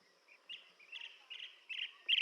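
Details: Blue-tailed bee-eater uttering a short series of burry, rolling notes that grow louder toward the end, the final note strongest.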